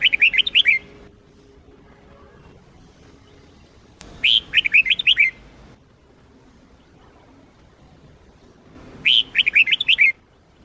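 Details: Sông Kôn style red-whiskered bulbul song, played to train other bulbuls: three crisp phrases of five or six looping, descending whistles, repeating about every four and a half seconds, with a brief click before the second.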